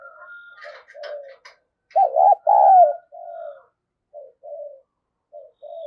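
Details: Female spotted dove cooing to excite males: one loud quavering coo with a drawn-out falling note, surrounded by softer coos from other doves and brief chirps.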